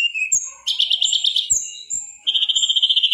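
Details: Mangrove whistler singing on a master recording: short whistles, a dense rapid buzzy trill, more clear whistled notes, then another quick, even trill.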